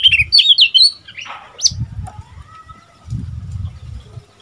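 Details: Seven-month-old caged Oriental magpie-robin, freshly moulted into young male plumage, gives a quick run of whistled, slurred notes while answering wild birds, followed by soft low fluttering thumps and a faint drawn-out tone.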